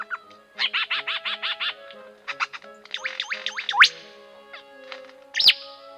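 A lyrebird delivers a fast run of about seven loud ringing notes, then varied chirps and rising whistles ending in two sharp upward sweeps, with a faint steady hum beneath.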